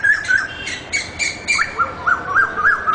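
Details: Asian koel (Eudynamys scolopaceus), song.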